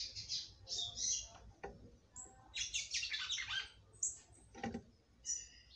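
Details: Female red-cowled cardinal in captivity singing to stimulate the male; scattered high chirps and a busy warbled burst mid-way, fairly quiet with background rustle and a few knocks.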